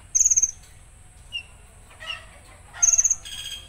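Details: Konin in a rough 'tembakan kasar' shot style: two bursts of very high, rapid stuttering pulses, about eight notes each, at the start and near the end. Brief faint chirps fall between them, with another bird's buzzy notes at the close.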